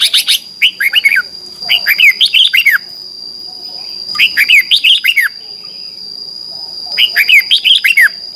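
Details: Morning duelling song of a red-whiskered bulbul, delivered in four short bursts of quick, liquid whistled notes that swoop down and up, each burst about a second long with brief gaps; a constant high whine hums beneath.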